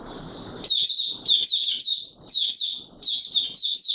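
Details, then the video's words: Courting Oriental white-eye, a kept songbird, delivering a fast, unbroken stream of high warbled and chattering notes, with faint low room noise at the start. "Mata Puteh Raja V2 in courtship mode"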